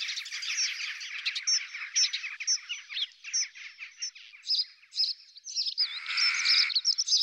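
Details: Courtship feeding between a pair of European robins, the male bringing food to his female; dense high twittering and scratchy chatter with thin whistled notes over it, ending in a loud harsh burst.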